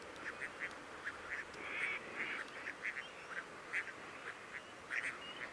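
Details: Crested duck calls from the Coyle River estuary in Santa Cruz, Patagonia, Argentina, recorded 18 June during monitoring; a steady run of clipped nasal quacks, roughly three per second, from more than one bird over constant estuary noise.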